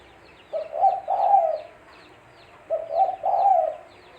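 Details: Tekukur, the spotted dove, used as a trapping lure, giving two low cooing phrases about two seconds apart, each a soft double note then a drawn-out mellow coo, with faint twittering birds in the background.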